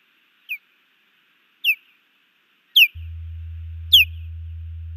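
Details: Female osprey calling at a nest in Hellgate Canyon, Missoula, Montana, on 15 June 2019 while her mate defends against an intruding osprey; nest camera. Four sharp, high whistled chirps, each falling steeply, about one per second, with a low steady hum entering midway.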